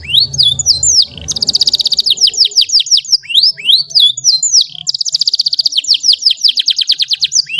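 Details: Long, sweet tutor song of a canary, used for teaching young birds: crisp upslurred whistles broken by two extended rapid trills of evenly repeated notes, with brief low noise at the start.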